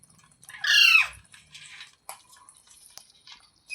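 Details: A single loud, harsh parrot squawk that sweeps downward, followed by faint clicks and light tapping noises.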